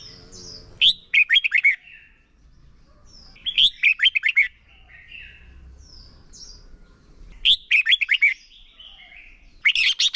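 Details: Red-whiskered bulbul decoy singing in contest style for training other birds: short, bright phrases of quick warbled and clipped whistled notes repeat roughly every three to four seconds, separated by faint high slurred whistles and quiet background hum.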